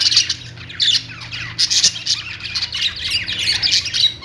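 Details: Pet parakeets give rapid high squawks and twittering chirps, a mix of clipped notes and short rising whistles, several birds calling at once over a soft hum.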